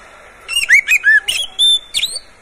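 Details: Short, loud phrase from a caged Oriental magpie-robin: bubbly downslurred whistles, a few harsh chips, and a clear held whistle ending in a rising note.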